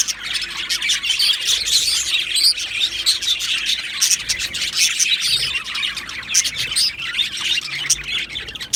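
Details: Two male Australian budgerigars chirping: a dense, continuous chatter of high twittering and warbling notes with scattered sharper chirps, no clear pauses.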